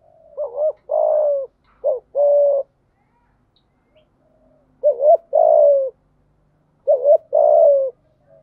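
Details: Decoy spotted dove cooing to lure wild doves, three phrases spaced about two seconds apart, each with a short double note followed by a longer steady coo, low and mellow.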